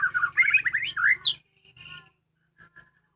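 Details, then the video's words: Home-kept white-rumped shama in full voice delivers a fast, loud burst of slurred whistles and chattering notes, then falls to a few soft, quieter phrases before silence, with a faint low hum behind. "suara merdu burung muray batu rumahan"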